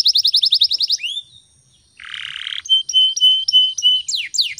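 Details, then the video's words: Morning song of a canary, recorded as a lure to get other birds singing: a rapid trill of short high notes, a brief pause, a harsh buzzy rattle, then a series of flat whistled notes. "PANCINGAN SUARA BURUNG KENARI GACOR PAGI HARI"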